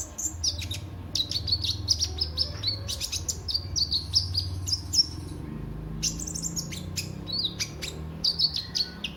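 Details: Sunbird known locally as kolibri ninja, singing in a recording meant to prompt other birds into song; rapid bursts of high, sharp tweets and trills with a brief pause midway, steady low hum underneath.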